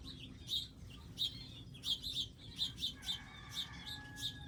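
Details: Wild birds at a garden feeding area with feeders, seed and water: short, bright chirps, roughly one every half second to second, high-pitched and uneven, with a steady low hum underneath.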